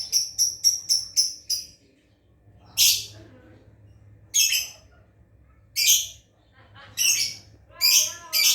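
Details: A quick burst of high chirps from a lovebird learning to ngekek, followed by several harsh, rasping squawks at irregular intervals, over a faint hum.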